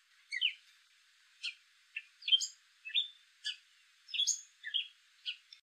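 Gray catbird giving a jumbled run of short, squeaky and chattery notes, high-pitched and varied, about one every half second, with no other sounds.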